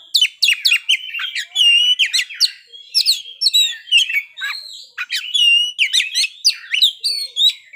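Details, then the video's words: Lively Oriental magpie-robin song of crisp chirps, sharp downslurred notes and varied whistles, delivered loudly in quick bursts with short gaps, showing off its range of fill-in phrases. "kacer ngeplay bongkar isian"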